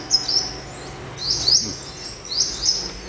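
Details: A newly trapped wild sunbird, around noon, gives high, thin, sharp chirps in quick pairs, about one burst per second, over a faint low hum.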